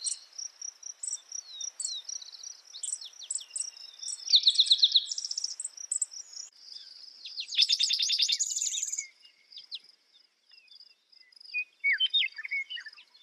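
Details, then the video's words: Spotted towhee singing at morning: a short clipped trill, then a longer buzzy rattling phrase, then a scattering of brief calls, all set against a constant high insect whine and ticking chirps. "Spotted Towhee Bird Sound, Bird Song"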